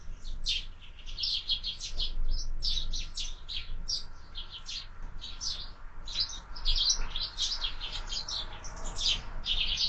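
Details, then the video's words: Sparrows at a window-mounted feeder in the morning, part of year-round bird feeding; dense overlapping high chirps and twitters run continuously, with low hum beneath. "Воробьи в кормушке - Утро"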